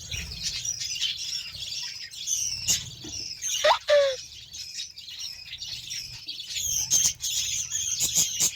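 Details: Budgerigars being given beetroot: dense, continuous high warbling chatter from several birds, with scattered sharp chirps and two short lower squawks about a third of the way through, plus faint flapping.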